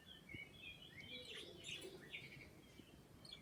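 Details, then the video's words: Two pet birds chirping: soft, quick high twittering notes, some short rising and falling whistles, tumbling over one another with little pause, quiet against a faint steady background hiss. "making kissing sounds and chirping"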